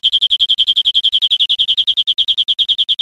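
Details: European greenfinch, recorded to teach caged birds, delivering a steady, quick run of bright, high repeated notes, about seven per second, filling the whole passage.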